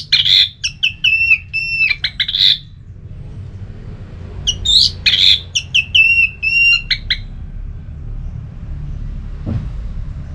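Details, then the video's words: Orange-headed thrush delivering a lively ngeplong song meant to provoke another bird to sing: two bursts of rapid, varied whistles, chirps and buzzy notes jumping in pitch, a pause between, and a soft click near the end. "ANIS MERAH LOYO Bakal SONTAK NYAUT GACOR dan EMOSI dengar Kicauan Ngeplong ini"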